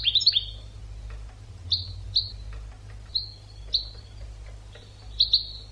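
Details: European goldfinch teaching song: an opening twittered flourish followed by single and paired bright whistled notes, each trailing off, spaced about half a second to a second apart, with low hum behind.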